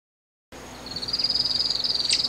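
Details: Zidedê bird song: a thin, very high, rapidly pulsed trill that builds steadily in loudness over about two seconds, with one sharper note near the end, against a quiet background.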